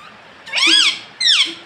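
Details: Pet parrot uttering two loud, rich-toned syllables: a long rising-then-falling phrase followed by a shorter falling one, against a quiet background.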